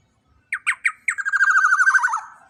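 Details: Juvenile black-naped oriole, big-bodied and loud, kept as a training master for cage birds: three separate harsh downslurred notes lead into a rapid buzzy, rattling series that fades after about a second.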